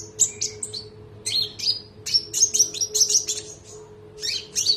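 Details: Olive-backed sunbird (konin) singing for a training recording. It gives quick bursts of very high, bright chirps and rolling trills, with short pauses between phrases, and a constant electrical hum in the background.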